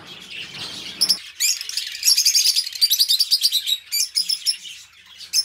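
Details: A pair of pet budgerigars chatter indoors; a soft rustling opening gives way to quick, buzzy, high warbles pulsing several times a second, then scattered chirps.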